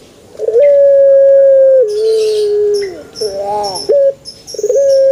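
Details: Male Barbary dove cooing: a rolled start, then a long, level, pure hooting tone held about one and a half seconds that sags at the end, followed by a softer wavering note and another rolled coo, with faint high clicks above.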